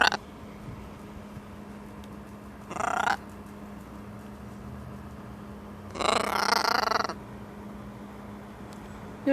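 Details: Pet parrot making what its owner calls macaw noises while outside in the sunlight, with winter approaching: two harsh, raspy squawks a few seconds apart, the second longer, over a steady low hum.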